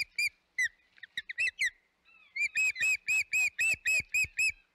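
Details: Osprey at the Hog Island nest, 25 May 2021: a few scattered chirps, then a steady run of loud, clear whistled cheeps with bright overtones, about four per second, all on the same pitch.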